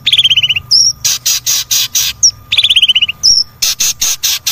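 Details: A long-tailed shrike sings twice, a quick falling run of bright notes, a high whistle, then harsh, scratchy bursts; the recording is meant to prompt reluctant shrikes to sing.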